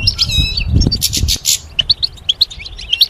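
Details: Goldfinch song for training songbirds: quick, high, twittering chirps, several per second, after an opening second of low rumbling and scratchy noise.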